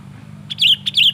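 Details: Sooty-headed bulbul singing excitedly, a recording meant to lure and provoke other bulbuls: two quick, bright, slurred chirps, each rising then falling, over a faint low hum.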